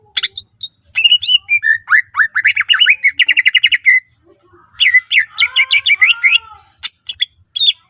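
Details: Lively greater green leafbird song full of fill-in phrases to get other leafbirds singing. Bright whistled slurs run into a quick stuttering series, pause briefly, then resume as liquid rising notes and sharp chips.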